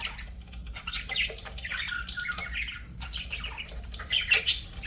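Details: Pet budgerigars warbling softly, a quieter run of gurgling, buzzy chatter with a few whistled slides, ending in a sharper bright squeak.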